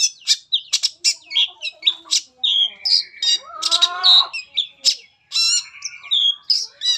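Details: Shrike song used to lure other shrikes into singing, a dense run of scratchy chatter, buzzy squawks and clear whistled notes, some descending, delivered in quick irregular bursts.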